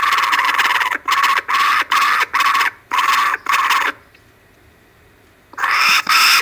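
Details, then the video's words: Kookaburras on a live camera in Australia, Monday at 5:55 pm, 12/10/12, one grabbing food at the start; very loud, harsh cackling bursts repeated rapidly about seven times, a brief silence, then the raucous chorus resumes. "Kookaburra cam from Australia,they are very loud lol"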